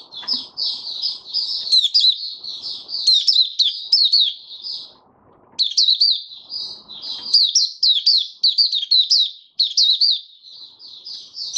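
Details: Kept white-eye settling into its opening song on 08012022: long, continuous, high-pitched twittering with rapid slurred chirps and sharp accents, one brief pause midway, faint low rustling beneath.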